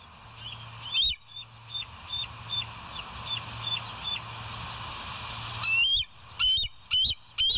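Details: West End bald eagles on a nature cam, morning of 26 September 2023: soft, distant-sounding high piping notes in a steady string, then four loud, close squeaky notes at the end over constant hiss.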